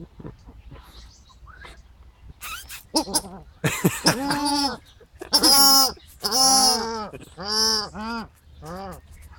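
Paradise shelducks give a run of loud, nasal, honking calls, each rising then falling, about one a second, with a few softer clucks before them.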